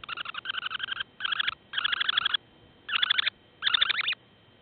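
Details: Semipalmated sandpipers at their breeding site near Barrow, Alaska, giving loud, rapid, buzzy pulsed trills in six bouts of about half a second to a second each, separated by short pauses, over quiet background.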